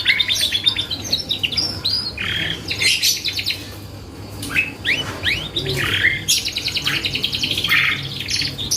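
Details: Singing canary used as a lure to draw responses from other birds: varied bursts of high rapid trills, curved whistled sweeps and buzzy rolls, phrases shifting quickly with short gaps between them.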